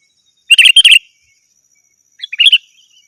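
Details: Sooty-headed bulbul giving a rival-calling call used as a lure for wild birds: a rapid burst of sharp, bright chirps, then after a pause a shorter, softer cluster of similar notes.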